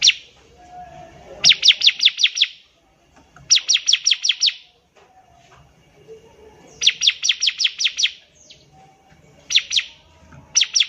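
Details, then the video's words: Bar-winged prinia in full song, a model for young birds learning to sing: several separate bursts of six or seven rapid, high, descending chips, spaced by one- to two-second silences. "CIBLEK GACOR || SANGAT COCOK UNTUK MASTERAN CIBLEK PAUD BELAJAR BUNYI"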